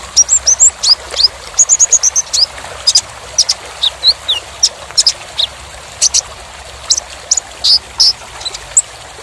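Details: A sunbird (kolibri ninja) used as a training recording for other songbirds gives a quick run of very high, thin chirps and short sweeping notes, densely packed, with faint background hiss.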